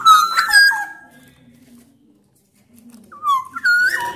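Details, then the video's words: Loud black-naped oriole song from a Sumbawa bird, used to encourage other orioles to sing: rich fluty whistles, a quiet gap of about two seconds, then rising and falling mellow notes return. "KICAUAN KEPODANG EMAS GACOR SUARA KERAS"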